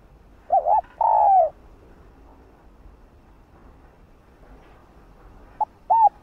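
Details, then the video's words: Female spotted dove calling to provoke males: one mellow phrase of quick double coo and long falling hoot, then a long pause before a second phrase begins with short hooked notes. "Tiếng cu gáy Mái ,cu mái kích trống nghe là gáy 100%"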